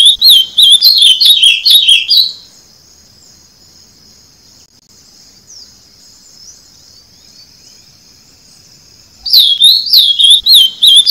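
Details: Ultramarine grosbeak (Cyanocompsa brissonii) singing two bursts of rapid, high warbled notes, separated by a long pause with only a faint steady high hiss.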